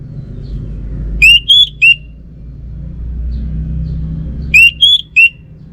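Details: Orange-headed thrush in North Bali giving two loud three-note whistled phrases about three seconds apart. Notes slur up, level off and drop back, over a low, constant background hum.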